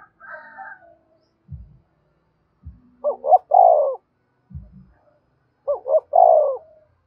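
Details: Spotted dove giving lure coos to draw in other doves: two matching coo phrases about three seconds apart, each a quick double note then a long, falling mellow coo; an earlier softer call and low knocking sounds.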